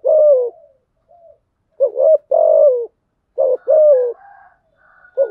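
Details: Cooing spotted dove, a lure bird meant to prompt other doves to coo: repeated two-part phrases, a short hoarse note followed by a longer wavering coo that slides downward, with quiet gaps between.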